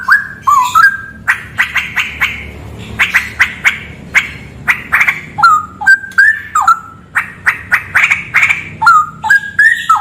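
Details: Straw-headed bulbul singing in a cave, alternating bursts of fast clicking notes with clear whistled phrases that drop and then rise in steps.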